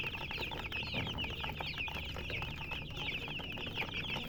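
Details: Baby chicks chirping in a steady stream of high, quick, downslurred peeps, overlapping one another throughout, with low background rumble.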